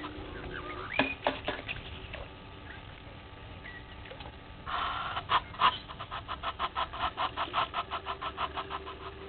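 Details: Red-billed hornbill looking for a meal at Gowrie dam waterhole, Djuma Game Reserve, Sabi Sand Wildtuin, South Africa, 07:48 on 20 March 2021; scattered clicks, then a steady run of about eighteen hollow clucking notes, roughly four per second.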